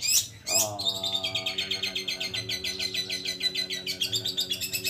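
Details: Long-tailed shrike (cendet or pentet) in full, steady song rich in borrowed phrases. Two sharp high bursts open a long, evenly pulsed rattling trill over a steady layered drone. It ends with renewed high chirping.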